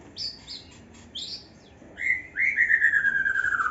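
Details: Young white-rumped shama in an aviary singing: a few short high whistled notes, then a long clear whistle that slides slowly downward over more than a second, with faint background hiss.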